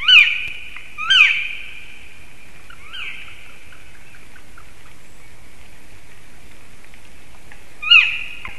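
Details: Loud black woodpecker cries at a stork nest in Sigulda municipality, Latvia, on a late March morning, possibly a territorial dispute between three birds. Two quick slurred calls, a softer one, then a long pause before a final call.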